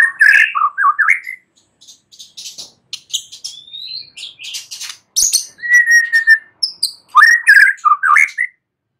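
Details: White-rumped shama singing at night, mixing mellow, warbling whistles with a long even whistle and bursts of thin, high ticking notes, the phrases coming in quick succession.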